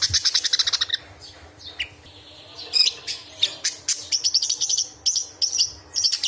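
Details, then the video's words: Loud, harsh chattering from an angry budgerigar: a rapid burst of rasping pulses, a short gap, then a scratchy, squeaky and rattling stream of notes, used to tutor other songbirds. "Burung Parkit Murah bila Marah semua diam //Crecetan tajam"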